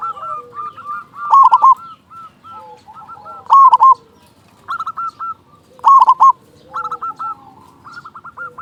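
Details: Steadily singing local zebra dove with a big voice, meant to stimulate other doves' courtship urge and song; rhythmic series of short hooked coos broken by four loud rolling bursts roughly every two seconds.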